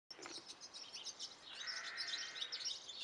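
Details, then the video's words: Nine Great tit chicks in a bird box at a house in Belford, Northumberland, giving dense high chirps that crowd together, with a steady lower tone running beneath from halfway through. "9 baby Great tit's. Northumberland"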